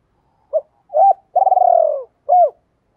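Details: Spotted dove cooing to attract females: one phrase of a short soft note, a curved coo, a long pulsing falling coo and a final hooked coo.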